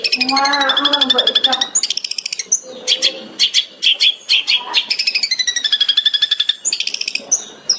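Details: Long-tailed shrike (cendet) master recording in the 'tembakan' style, used to train songbirds: a harsh, lower warbling opening gives way to long rapid trills, clipped whistles and repeated sharp chirp bursts.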